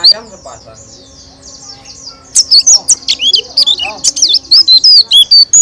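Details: Loud white-eye song, roll tembak style, sung with beak open: soft chattering and faint lower notes first, then from midway a burst of piercing high whistles and twittering trills in quick, sharply separated phrases.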